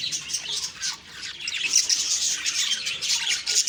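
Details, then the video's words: Budgerigars on a morning in October 2023 keep up a constant high, chattering warble of short squeaky chirps, dipping briefly quieter before building again. "Beautiful morning birds chirping sounds/Budgie sounds"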